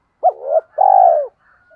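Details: Decoy spotted dove calling to attract other doves: a sharp arched note rising into a swelling coo, followed by a drawn-out, trembling coo descending at its close.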